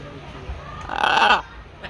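A macaw gives one loud, raspy squawk lasting about half a second, harsh and broad in tone, against quiet background murmur.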